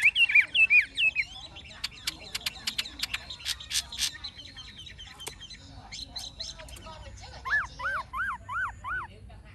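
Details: Old wild-caught Chinese hwamei kept in a cage, with forest-style singing: loud looping whistles at the start, sharp clicking notes, then a softer run of rising-falling whistled notes repeated about twice a second.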